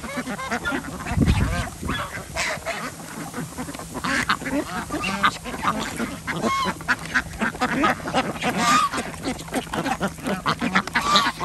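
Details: Ducks being fed on an organic village farm in Andhra Pradesh that also keeps chickens and geese; a busy chorus of rapid, raspy quacks and short nasal notes from many birds, with low thumps and rustling.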